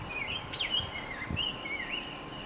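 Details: In a Kansas City backyard on 15 May 2016, in spring, a Baltimore Oriole sings almost constantly, a run of rich, flute-like whistles slurring up and down, over a steady low rumble of a distant lawnmower.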